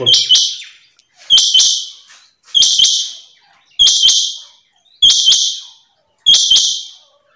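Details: Female rain quail repeating a high, buzzy double note with sharp whistled edges about every 1.2 seconds, six steady phrases in a quiet setting.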